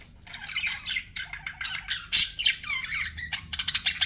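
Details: Budgerigars kept as pets give quick chattering chirps and harsh squawks, notes tumbling several per second, one louder screechy burst midway, low hum in background.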